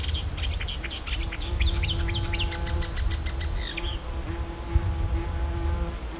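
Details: Marsh warbler, called the Polish lyrebird for copying other birds, delivering a dense, fast run of varied chirps, trills and sharp notes for nearly four seconds, then falling quiet, over a steady low rumble and a faint hum.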